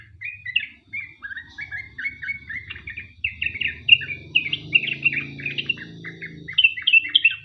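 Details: Rather quiet sooty-headed bulbul lure song, long 'ropel panjang' style meant to make other bulbuls sing; quick sliding, chirping notes strung together over a soft low hum.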